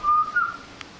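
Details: Pied butcherbird song on rural mountain land in Australia: a pure, flute-like whistled note held about half a second, stepping slightly higher before fading, with no other sounds.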